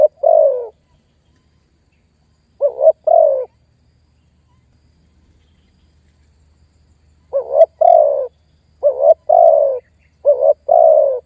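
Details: Spotted dove lure calling, meant to summon and press a rival. Paired low coos sound at the start, then a quiet gap of several seconds, followed by three more short-and-long coo pairs in quick succession.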